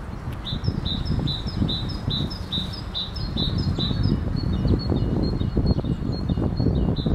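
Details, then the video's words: Great tit singing a high, ringing two-note phrase, repeated quickly about twice a second, with a wood pigeon in the background, over heavy low rumbling wind noise. "Grzywacz w tle śpiewu sikorki bogatki"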